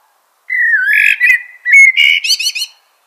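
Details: Mellow, flowing warble from a common blackbird, sliding between fluted notes before finishing with a quick series of high, chattering squeaks.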